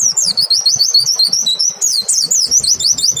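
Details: White-eye song used as a lure for other white-eyes, sung clearly: a continuous high wavering trill of rapid zigzag notes, turning to louder sharp downslurred chirps near the end, over soft low thumps.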